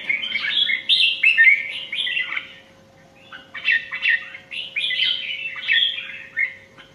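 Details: Indian red-whiskered bulbul in competition singing: lively bursts of bright, warbling whistled phrases, each about a second long, with a short pause midway before the chattering melodic phrases resume, over a faint steady low hum.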